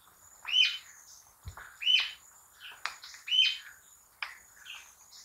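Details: Rufous-tailed jacamar, a tropical New World bird: high, sharp upslurred whistled notes repeated roughly every one and a half seconds, each with a thin ringing peak, over a steady faint high hiss.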